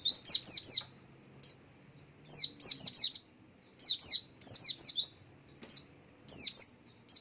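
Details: White-eye that sways while singing, its song meant to attract other white-eyes to sing along; bursts of bright, high descending chirps in groups of two to four, with short isolated notes between, a thin constant whine behind.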